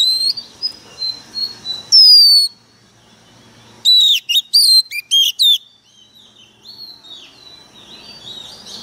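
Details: Excited Oriental magpie-robin used as a decoy, singing sharply: soft whistles, a long clear descending whistle, then a short burst of loud, crisp notes and slides, fading into quieter distant phrases.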